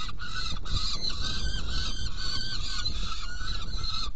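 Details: Saker falcon at a nest box during feeding, 17 June 2018 at 10:31: harsh, harmonic, wailing calls given continuously in a steady stream over a deep, rumbling background noise.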